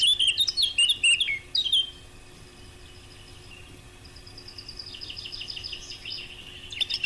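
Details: Eurasian blackcap song, used as a hunting lure: a burst of fast, high, scratchy warbled notes for two seconds, a quiet pause, then a rising, clearer run of fluty repeated notes building toward the end. Steady faint background hiss.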